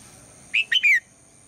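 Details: Female red-whiskered bulbul in the morning, calling to get the male to sing loudly; a single clean phrase of three whistles, steady, rising, then a long falling slur.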